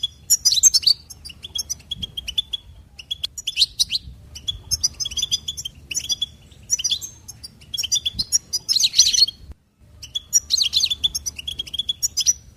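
A goldfinch sings a bright, tinkling twitter of quick high notes and buzzy trills in bursts of a second or two, with brief pauses between.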